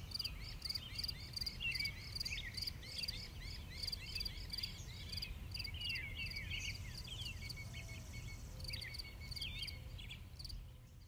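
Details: Western bluebirds foraging to feed their young give clusters of brief chirps and slurred whistles, with a few soft low notes, set against loud, regularly repeated insect trills and faint background rumble.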